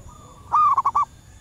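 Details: Lure call of a wild female zebra dove summoning males: a soft held tone, then a loud stretched coo and three brief, evenly spaced coos at matching pitch.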